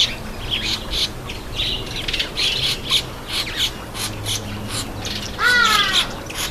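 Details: Red-headed finch (red-headed amadina) at its bath. Repeated short chirps and ticks fill most of the recording, and then one loud, buzzy, nasal call with a slightly wavering pitch comes near the end.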